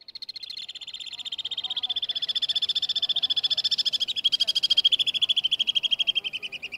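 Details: Alpine swift flying over the streets of Dubrovnik, Croatia, in August 2018: a loud, fast, rapidly pulsed trill that runs unbroken for nearly seven seconds, swelling and fading slightly as the bird passes.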